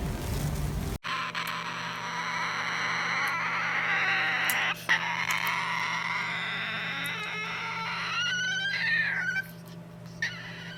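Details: A baby cockatoo that fell onto the floor gives a harsh, raspy, wavering begging screech for food, almost without pause for about nine seconds, over a low steady hum.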